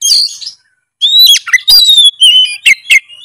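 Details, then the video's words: Kacer, the oriental magpie-robin, in full narung gacor song meant to rouse a silent bird. A high opening note and a short gap give way to long slurred whistles that fall in pitch, broken by sharp buzzy bursts. "kacer malas bunyi seketika gacor bila denger suara kacer gacor full narung satu ini"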